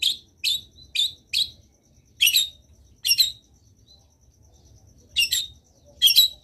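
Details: Singing long-tailed shrike: four quick, rasping notes at the start, then single harsh, buzzy notes spaced by pauses of about a second.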